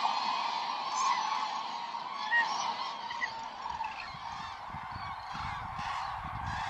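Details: Common cranes gathering at a roosting site in Hungary, a dense chorus of many overlapping honking, trumpeting calls with a few louder calls standing out, steady throughout, faint low rumble beneath.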